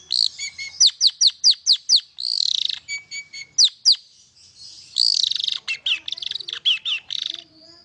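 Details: Long-tailed shrike song for triggering silent shrikes to sing: a rapid row of high down-slurred notes, a buzzy rattle, then another burst of harsh buzzy notes and descending chips.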